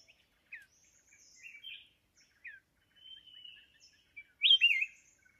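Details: Mountain red-whiskered bulbul singing while being trapped with a decoy bird: scattered short slurred notes and a thin sustained whistle, ending in a loud, lively rising-and-falling warbled phrase, in a quiet setting.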